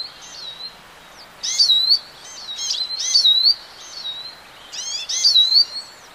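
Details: Singing European goldfinch giving repeated short phrases of bright, slurred whistles and twitters, each burst lasting about half a second, over a soft background hiss.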